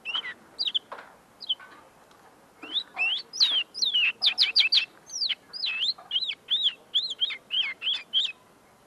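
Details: Common linnet, tame and singing close in front of its keeper, still perfecting its notes: a lively, varied run of twittering chirps, trills and upslurred whistles, delivered in quick uneven bursts over nearly nine seconds.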